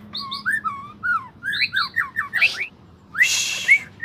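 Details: White-rumped shama song, played to coax a mute shama to sing: clear, separated two-part whistles repeated in quick succession, then a harsh noisy burst and a final bright whistle.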